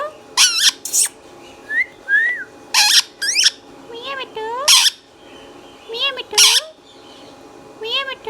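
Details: Pet green Indian ringneck parakeet talking: short rising and falling whistled phrases mixed with harsh, high screechy bursts, about seven separate utterances with brief pauses between them over eight seconds.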